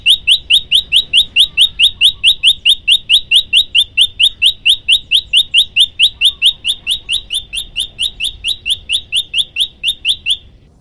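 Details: Continuous prinia song, prenjak lumut, kept as a tutor recording: rapid, evenly repeated sharp high notes, a little over two per second, carried on without a break until it stops abruptly near the end.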